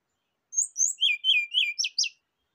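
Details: Rufous-chested flycatcher singing a short lure and therapy phrase: a quick run of about seven sharp, high chirping notes, evenly spaced and slightly descending, in a quiet setting.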